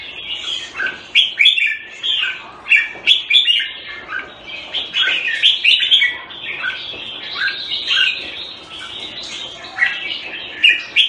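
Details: Red-whiskered bulbul, a cage bird kept in Singapore in the Thai style, February 2018: a long run of quick, chattering, whistled notes in short slurred phrases, loud bursts alternating with softer passages, a few faint clicks.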